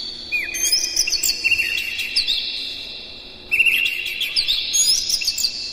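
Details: Energetic Oriental magpie-robin song played to stir up other magpie-robins: dense runs of sweet whistles and rapid chips, with one long phrase followed by a short gap and another loud outburst.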